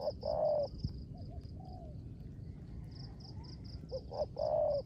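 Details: Rain-time 'rước gù' cooing from a kept spotted dove used as a decoy: a full phrase opens, soft low notes follow, then another phrase of two short hoots and one long mellow coo, high pulsing chirr throughout.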